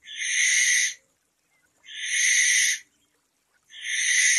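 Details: ['Barn owl calling at night: three rasping, breathy screeches of about one second each, repeated roughly every two seconds with silence between.']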